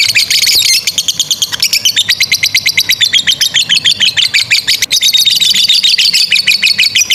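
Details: Lovebird in long 'ngekek' song, a model for training young and silent birds. A brief higher burst opens, then a fast run of sharp pulses descends gently and keeps going, with faint low humming behind.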